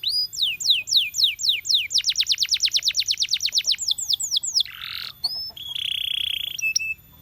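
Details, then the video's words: Champion canary singing: fast descending whistled sweeps, then a rapid even trill of about twenty notes, more sweeps, a short buzzy burst and a steady sustained whistle near the end. "The Ultimate Canary Singing Video From a Champion"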